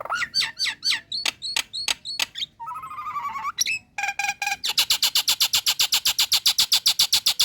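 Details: Caged female Nias hill myna calling males: whistled slurred notes, a nasal buzzy phrase, then a long fast regular series of harsh rasping notes about four per second.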